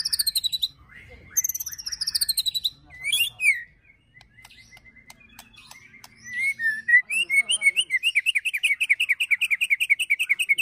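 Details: White-rumped shama ketrekan song with cililin and prenjak fill-ins, played to rile and train birds: fast high descending trills, a brief pause with thin whistles, then a long run of rapid slurred notes repeated several times per second.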